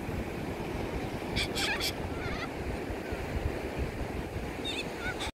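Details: Yellow-crested cockatoos feeding at the ocean: three harsh, raspy screeches in quick succession, then a few fainter, shorter calls near the end, over constant roaring surf.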